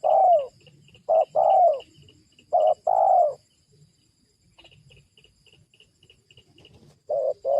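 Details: Spotted dove calling to lure wild doves down: three pairs of short then long falling coos, a silent gap of about four seconds with faint distant chirping, then the cooing resumes.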